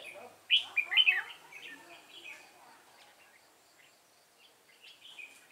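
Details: A red-whiskered bulbul decoy at a fighting trap opens with loud, sharp warbling notes, then trails off into soft twittering and a few faint whistles toward the end.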